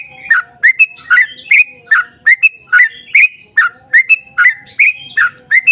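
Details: Sooty-headed bulbul giving a long rapid song as bait for other bulbuls: quick, bubbly, chattering phrases of slurred and whistled notes in constant succession, with a faint low rumble in the background.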